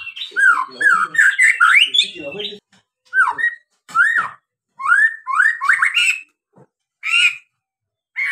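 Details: White-rumped shama (murai batu) provoking song: dense rising whistled slurs and harsh chatter at first, then spaced single upswept whistles with gaps of silence.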